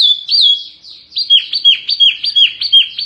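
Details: Fierce mini song of an Oriental white-eye, a fast run of high whistled notes, each dipping and rising, repeated roughly three times a second with no other sounds.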